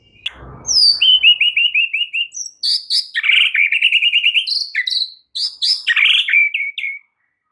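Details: White-rumped shama in full song with its learned filler phrases, used to coax a silent shama into singing: a short downslurred whistle, then a rapid run of repeated clear chirps, followed by varied bright whistled notes and trills.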